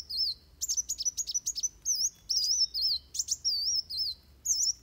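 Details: Van Hasselt's sunbird in fighting song, a training model for other birds: quick series of clipped high ticks, then looping, warbling whistled phrases repeated about every half second.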